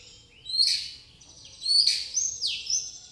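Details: Pastol white-rumped shama with fighting sparrow mimicry; high, thin chirps and sweeping notes in three bursts, faint low hum underneath.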